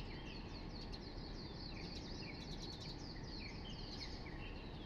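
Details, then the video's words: Birds singing in the early morning near a park: many overlapping high chirps and short whistled phrases over a steady low rumble of background noise. "Nagising Ako sa Huni NG mga Ibon"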